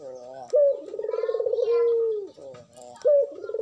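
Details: Madura spotted dove in breeding condition, singing strongly as a lure for other doves: a crisp rising note, a pulsed vibrating roll, then a long even coo tapering down, with the next phrase beginning after about 2.5 seconds.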